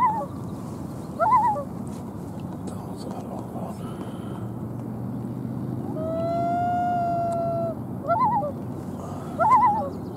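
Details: Common loon on Lake Massabesic, New Hampshire, where twin chicks 2-8 days old are present, recorded hand-held from a kayak: quavering tremolo bursts recur, then a long steady wail midway, over a low humming background bed.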